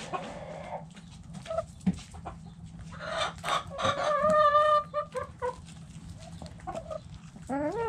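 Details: Backyard chickens in the coop: hens cluck in short bursts while a rooster crows, a loud drawn-out harmonic call near the middle, then another crow begins at the end.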